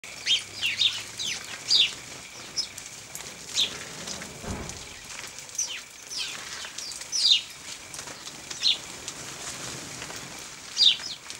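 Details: House sparrows bathing in dust and water at 0 °C on 14 December 2009. Short, high, downslurred chirps come every second or two over a steady background hiss.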